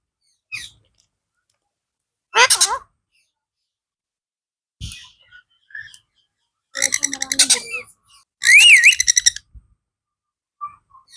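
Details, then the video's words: Blue ringneck parrot talking: sparse soft clicks and a sharp squawk, then after a pause a rough pulsed chatter and a loud buzzy burst with a wavering, speech-like inflection. "talking blue parrot | funny parrot Calling Mithu Mithu | parrot natural sound & talking"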